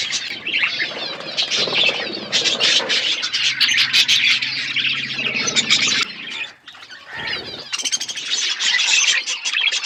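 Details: A feeding budgerigar flock in an aviary produces loud, dense warbling and squawks from many birds, briefly dropping quieter around six to seven seconds before resuming.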